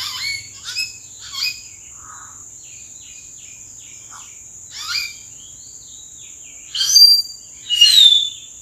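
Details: Common hill myna calling from treetops in April: a varied series of loud whistled, harsh and slurred notes, some rising and some falling, given in bursts with pauses, over a steady high insect-like drone.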